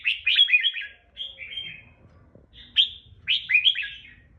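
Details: Caged red-whiskered bulbul, regional type, raised for singing contests, sings its long, powerful 'ché' style: rich, rapid clusters of slurred whistled notes, two bursts split by a brief pause, against a quiet low hum.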